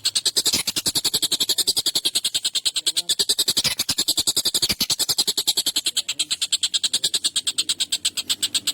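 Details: Agitated collared kingfisher giving long, sharp, harsh calls used as tutor material for songbirds. An unbroken, rapid rattle of rasping kek notes fills the recording.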